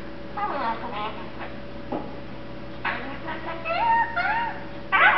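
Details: A one-year-old male Eclectus parrot, kept as a pet, mumbling happily while sleepy and content: soft garbled talk-like phrases with warbling, rising and falling whistled tones, louder toward the end, over a steady background hum.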